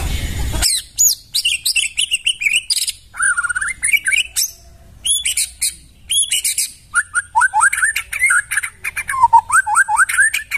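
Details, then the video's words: Wild white-rumped shama from the forest, used as a tutor recording, pours out a rich varied song: high chattering chips and trills mixed with looping, upslurred whistles in quick succession, with brief pauses between bursts. "Masteran murai suara asli dari hutan"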